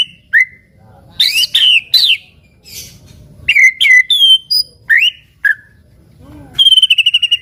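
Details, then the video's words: Gacor white-rumped shama, used as a prompt so other shamas sing along, gives loud upslurred whistles, harsh buzzy notes and a closing fast trill of repeated notes, separated by short silences. "murai batu gacor sangat cocok buat pancingan murai batu agar bunyi ikut NYAUT"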